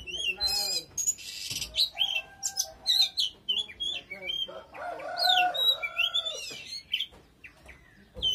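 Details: Oriental magpie-robin singing very intensely: varied loud whistled phrases, rising and falling slurs and quick chirps, broken by a burst of buzzy noise near the start and lower harmonic-rich notes midway.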